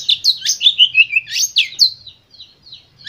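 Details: White-rumped shama singing to stimulate other birds, a fast burst of bright chirps stepping down in pitch, then softer scattered high notes.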